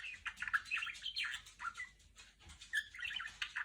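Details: Pet female budgerigar indoors, imitating R2-D2 sounds: a continuous scratchy warble with bent whistles rising and falling, fast chirps and buzzy notes crowding together without a break.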